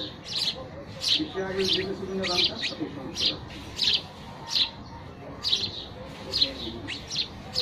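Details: Sparrows giving a lively series of chirping calls, crisp high notes about one and a half per second in uneven clusters, with faint voices briefly underneath.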